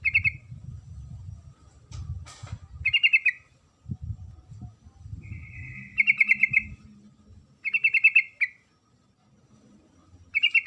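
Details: Female sooty-headed bulbul calling the male: short pulsed rattling trills, each under a second, given in four or five bursts with pauses of one to three seconds, over a low rumbling background.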